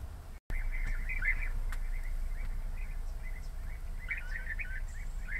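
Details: Rapid, burry trilled calls of European bee-eaters overlap in a busy chorus, several birds calling at once, with low background rumble and a brief dropout near the start.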